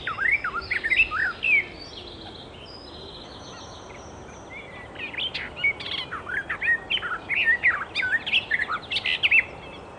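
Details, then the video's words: Icterine warbler in the wild, bursts of fast varied twittering and slurred whistles separated by a quiet gap of several seconds, with faint background hiss. "Burung Kicau Alam Liar (Icterine Warbler birds )Burung Icterine Warbler-Burung Kicau"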